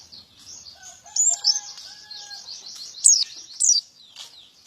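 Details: Male white-eye in full, active song: a rapid, high twittering warble of thin slurred notes, with a few louder sharp chirps near the end and faint lower whistled tones in the background.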